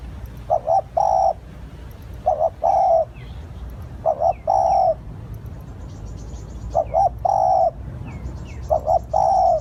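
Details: Spotted dove lure calling repeats its phrase five times in under ten seconds: two short coos, then a drawn-out coo, with faint high chirps of other birds in between.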